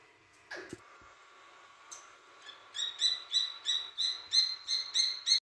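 Grey francolin chicks give high, thin peeping notes, about three a second in a steady run. A brief, lower swooping sound comes before them.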